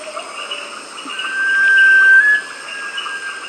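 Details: A sunbittern at Tambopata, Peru, gives one long, clear whistle lasting over a second, held steady and stepping slightly higher near the end, over a constant chorus of insects and frogs.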